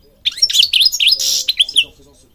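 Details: Goldfinch song from Morocco used for training birds: rapid bright twittering notes with a brief harsh buzz in the middle, continuous for about two seconds.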